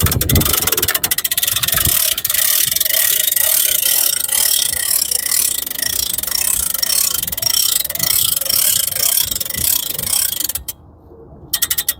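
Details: Steady mechanical ratcheting and whirring fills the whole stretch, with a brief drop to near silence just before the end.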